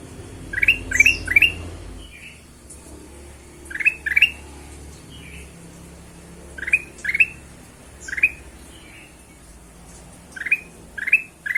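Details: Ruby-throated bulbul singing as a lure for other birds: short clusters of two or three sharp, rising whistled notes repeated every couple of seconds, with softer answering chirps and a low rumble at the start.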